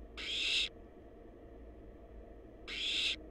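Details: Barn owl babies in a wild nest box monitored for research: a long rasping hiss, a pause of two seconds, then a second matching noisy screech, with low background hum.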